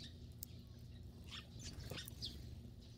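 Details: Eurasian tree sparrows on a rainy day near a woodpile that serves as their winter home, giving a loose burst of short, sharp high chirps within about a second, over a steady low background hum.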